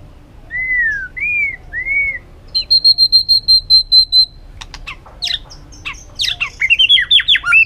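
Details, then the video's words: Singing white-rumped shama with many borrowed forest phrases: three arched clear whistles, a pulsed high ringing series, then rapid sweeping notes and sharp snaps tumbling together. "chòe lửa hót nhiều giọng rừng hay"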